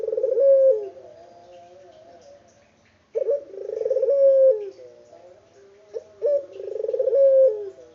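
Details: Unedited recording of a vocal local turtle dove giving three rolling coos, each a sharp short note, a vibrating purring stretch and a falling tail, separated by quieter gaps.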